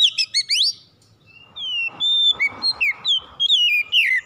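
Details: Oriental magpie-robin, or kacer, singing to prompt a quiet bird to sing: a rapid chattering burst of rising notes, a short pause, then a long string of clear whistles, alternately falling and rising, about three each second.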